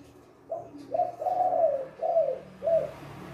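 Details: Spotted dove (tekukur) giving a deep, mellow coo: short soft notes, one long drawn-out coo, then two shorter falling coos within three seconds; a big-voiced two-note coo training recording.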